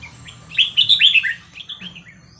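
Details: Red-whiskered bulbul in the 'Hua Krok Khayao Khuat' song style, used to teach young birds: a quick, loud string of five or six rolling whistled notes, then quieter trailing notes, against a faint low hum.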